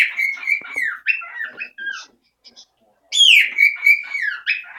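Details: Pet parrot, male thought to be female for three years, loudly claiming its home: rapid warbled whistles and chattering descending notes, a pause, then a piercing falling whistle and more looping calls.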